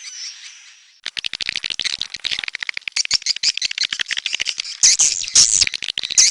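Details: Red-nest swiftlet (walet sarang merah) lure recording: a faint steady high tone, then rapid dry clicking rattles mixed with shrill, high chirps and twitters that grow denser toward the end.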